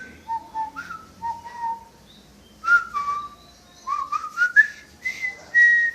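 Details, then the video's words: Whistling pet parrot performs a melodic run of pure whistled notes, stepping from low to higher pitches, with short pauses and faint room noise. "The Whistling Jungle Parrot"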